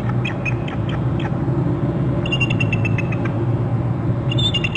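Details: Bald eagle pair calling around the Hornby Island nest territory on a nest camera: repeated runs of high, sharp chittering notes, the loudest near the middle and again at the end, over steady low-pitched background rumble.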